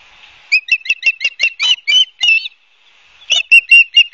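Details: At a nest in Barnegat Light, New Jersey, an osprey on a live camera, 12 September 2022, late afternoon, gives a rapid series of about ten piercing whistled chirps, breaks off, then resumes with six more.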